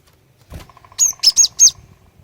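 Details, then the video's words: Calling female cinereous tit luring males to sing: four loud, high, clipped chirps in quick succession over a faint low beeping tone. "Kicauan Glatik Betina Pikat Gacor, Cepat Bikin Glatik Jantan Ikut Bunyi Gacor"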